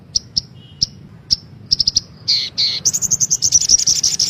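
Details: Lure calls of a female brown-throated sunbird for caged birds: spaced single high chips that quicken into a rapid, even trill of very high notes at the end.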